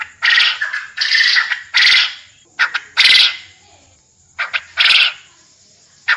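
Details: Quail sound used for mastering contest birds so they call eagerly; dense harsh, buzzy notes in quick groups, some longer rasps, repeating irregularly about every second or two, a thin steady high tone underneath.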